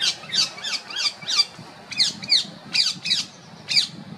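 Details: Female rose-ringed parakeet calling: harsh, shrill squawks with downward-sweeping harmonics, about ten notes in quick uneven pairs over four seconds, loud and clear over a quiet low background hum.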